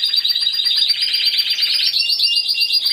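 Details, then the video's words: Competition Timbrado Español canary, individual class C2, judged 26 November 2015; a dense, loud metallic roll continues throughout, dropping to a lower steady tone for the final second. "Έκθεση Καναρινιών Φωνής Timbrado Español"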